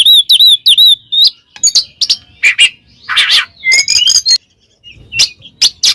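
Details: Kacer in ngeplong style, calling a rival to anger other kacer: a few repeated hooked whistles, then scratchy chatter, a long rising whistle, and loud clipped notes before a short silence.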